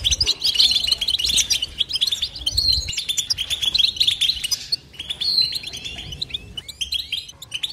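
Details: European goldfinch twittering song, played without pauses: dense, bright, high chattering notes with quick buzzy trills and short rising whistles, running almost continuously with a brief lull near the five-second mark.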